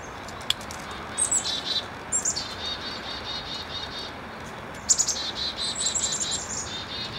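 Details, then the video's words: Chickadees mobbing a hawk, probably a Cooper's Hawk, near the end of a mobbing session, announcing the predator. They scold with rapid, buzzy 'dee-dee-dee' runs after a few high introductory notes, in bursts over soft hiss. "Chickadee Mobbing Hawk"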